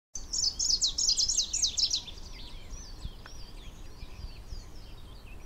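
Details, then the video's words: Greenish warbler singing near Château-d'Oex in the Swiss Alps at 1,600 m on 28 June 2015, a rare record: a high, rapid, jingling phrase of squeaky notes lasting about two seconds, then fainter distant bird notes over soft background noise. "Greenish Warbler (Phylloscopus trochiloides)"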